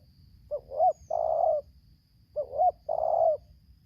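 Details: Spotted dove decoy versus a wild dove in Lampung, 'tarik akar selang nguku' song. Two repeated phrases roughly two seconds apart, each a brief coo and an upswept coo followed by a long flat coo.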